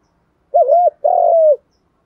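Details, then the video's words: Spotted doves, male and female, calling to stir other birds for training; two clean mid-pitched coos, the first wavering up and down, the second a long steady note that slides lower at the end, in a quiet setting. "tiếng cu gáy thúc gù, gù đấu chuẩn căng đét"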